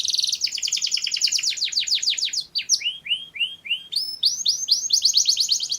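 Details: Canary song for mating, quick and varied: a dense high trill, a series of slower rising-and-falling swoops repeated about three times a second, then fast sweeping notes again.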